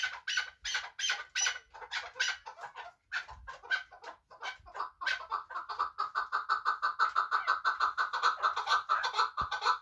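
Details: Chukar partridge from Muminobod, a hunting bird, begins with loud separate chuk calls, then speeds into a rapid, even chattering run of clucking notes that grows steadier over the last seconds.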